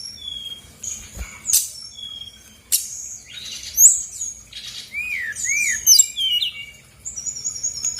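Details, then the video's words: Brown-chested jungle flycatcher, a female 'gacor' singer from Bali, used as a lure to provoke lazy caged birds into answering. Varied high whistles, slurred downward notes and short chirps come in irregular bursts, with a faint low hum underneath. "PANCINGAN SRDC GACOR BONGKAR ISIAN/BURUNG MALAS BUNYI AUTO EMOSI RESPON NYAUT!!!"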